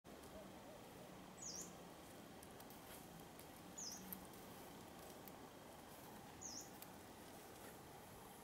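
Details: A yellow-browed warbler wintering at Bosco Scorace, Trapani, Sicily, on 11 January 2015 gives three thin, high, upslurred 'tsweest' calls, one every two to three seconds, over a steady rush of wind.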